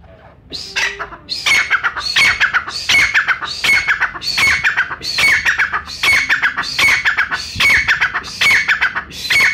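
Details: A Pakistani brown francolin (bhura teetar), recorded for hunters, calls persistently: about a dozen harsh, squealing phrases in quick succession, roughly one a second. The phrases are strongly rhythmic and rasping, with a brief soft tone near the start.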